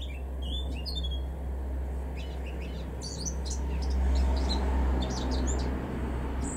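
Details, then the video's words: Male Eurasian blackcap singing in a garden in Weener, East Frisia, far northwestern Germany, in April 2021: a quick run of high, chirping and warbled notes over a steady low rumble. "Mönchsgrasmücke (Männchen)"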